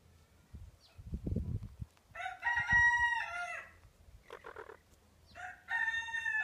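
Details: Two frizzle Pekin hens, blue mottled with white, newly laying after a long moult, give loud, harmonic, drawn-out calls in three bursts, with low thumping handling noises early on.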